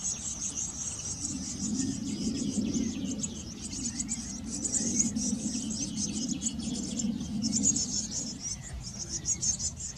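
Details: At a nest box in a garden where blue tits tend their young, very high, shrill chattering comes in long pulsing bursts with brief gaps, over a constant low rumble.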